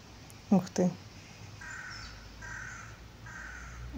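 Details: A hooded crow exchanging calls with other crows gives two loud, harsh caws in quick succession, followed by fainter, more distant answering calls over quiet background noise.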